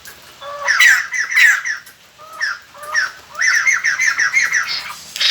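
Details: Decoy song of the White-crested laughingthrush used to lure wild birds: short whistled introductory notes and laughing phrases, then a quick run of chattering calls.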